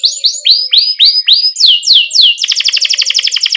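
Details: Canary song used as a master for training young canaries just learning to sing: repeated downward-sweeping whistled notes, then a fast rapid trill of chipping notes near the end.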